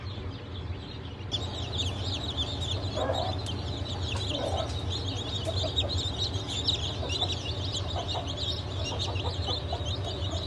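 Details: Newly hatched chicken chicks of Blue, Light Brahma, Wyandotte and Legbar breeds, hatched 7 July 2023: many high, thin peeps chirping constantly and overlapping, over a steady low machine hum.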